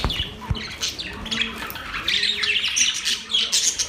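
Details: Budgerigars singing, a mix of rapid scratchy chirps, squawks and short whistled notes packed densely together, with overlapping voices suggesting several birds chattering at once.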